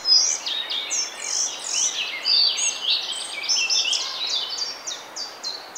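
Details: Collared Flycatcher male in song, Bavaria, Germany, May 2020: dense run of high, sharp chirps and squeaky notes, then a steady train of short repeated high notes fading out, over soft background hiss.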